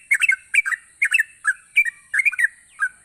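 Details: Continuous gacor song from a yellow-vented bulbul, played to coax idle bulbuls into singing: rapid bubbly, gurgling notes in clusters of two or three, about three clusters per second, with a thin steady whine behind.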